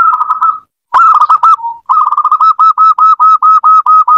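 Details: Zebra dove song played to encourage a quiet pet dove to sing: rolling coos, a brief pause, then a long, even run of rapid repeated coo notes, about two per second, loud and close.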